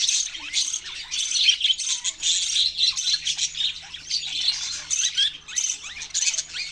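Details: Chirping budgerigars fill the air with busy, high-pitched twittering and squeaky notes, rising and falling in loudness in quick waves.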